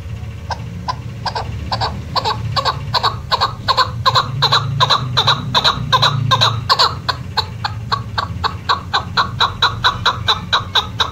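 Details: A female chukar partridge, as used by hunters, gives a long run of dry, clucking chuck notes, about three a second, over a low steady rumble.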